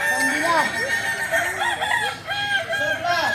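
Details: Kukuak Balenggek roosters from Solok in training for crowing performance; continuous overlapping crows with repeated arched, bending notes fill the whole stretch at a steady loudness.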